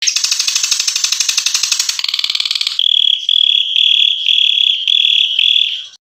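Ashy drongo song: about two seconds of harsh, buzzy, rapidly pulsed chatter, then a high, sustained whistled trill that pulses steadily in short bursts.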